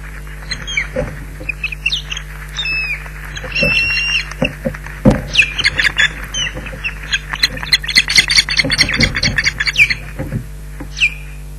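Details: Osprey pair at the nest at Loch Garten, calling in alarm at an intruder: repeated sharp, squawking whistled calls in irregular bursts, some rising and falling, over a steady low electrical hum.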